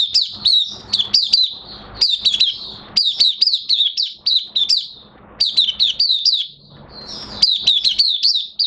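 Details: Oriental white-eye (mata puteh) in minor moult, in open song, dated 3 June 2022: bright, high-pitched twittering phrases of quick downslurred chirps, repeated in dense runs with brief gaps between bursts.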